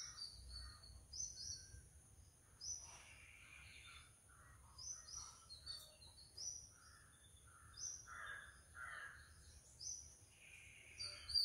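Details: Oriental magpie-robin visiting a backyard, singing varied whistled phrases with sharp high notes repeated every second or so, over a steady high insect-like hum and faint background noise.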